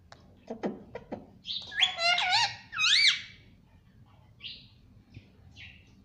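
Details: Pet ringneck parrot that talks, saying "mummy papa": clicks, then a run of bending, voice-like harmonic syllables, and later two brief high squeaky notes spaced apart.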